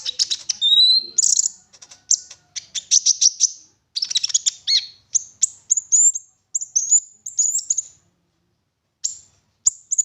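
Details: Lure song of an olive-backed sunbird meant to prompt others to sing: fast, high chattering trills followed by a string of short, sharp, descending chips spaced about half a second apart.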